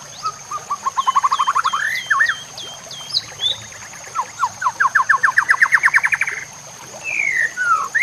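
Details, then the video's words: White-rumped shama song used as a training recording for other shamas, set with nature sounds and trickling water: a rising series of quick repeated notes, a row of sharp downslurred whistles, a long accelerating rising trill, then slurred phrases, over a steady high hiss. "Cocok untuk pancingan murai batu AGAR LANGSUNG GACOR dan NGEPLONG"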